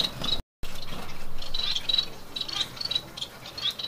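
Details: Caged Bengalese finches, a chestnut pied female and chocolate pied male pair with three young from their second clutch, give short high chirps scattered through a few seconds, with rustling and low room noise behind.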